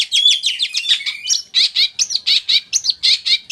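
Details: Tame Long-tailed Shrike from East Java, sung as a lure to make other shrikes answer: a fast string of scratchy, high chattering notes and short rising whistles, repeated in quick, uneven pulses.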